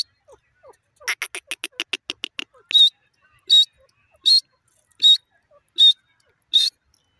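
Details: Female grey francolin in Pakistan: a quick series of rapid clicking notes, then loud, harsh call bursts repeated steadily about every 0.8 seconds in an otherwise quiet setting.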